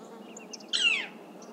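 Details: Northern flicker recorded near Cincinnati, Ohio, giving a single harsh, downslurred call note lasting about a third of a second, over a low steady background hum with faint distant chirps.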